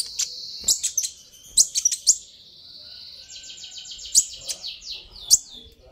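A sunbird gives a high, thin, sustained trill broken by sharp, very high chip notes, then a rapid buzzy rattling trill near the end.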